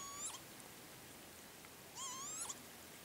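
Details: A male northern lapwing at the Azot bio-ponds near Berezhany village gives two wheezy, slurred 'pee-wit' calls about two seconds apart, each rising then dipping, against a quiet background.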